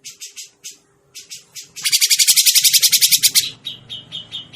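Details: Grey-cheeked bulbul calling in a bird-trapping lure recording: spaced raspy notes, then a rapid, loud run of buzzy pulses for about a second and a half, ending in softer repeated chips.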